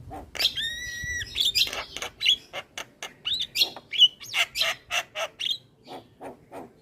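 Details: Javan myna singing energetically while bobbing its head, recorded to train other mynas. A steady whistled tone opens, then rapid rasping chatter, clicks and short squeaky whistles repeated in a fast, uneven rhythm.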